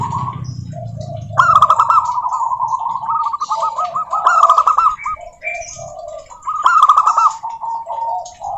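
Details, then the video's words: Several local zebra doves sing to prompt other doves to join: long runs of quick, bubbling coo notes overlap, broken by two louder phrases of hurried staccato cooing with rolled endings. "Suara Burung Perkutut Lokal Gacor OBAT MACET BUNYI, pancingan perkutut agar bunyi jamin NYAUT EMOSI"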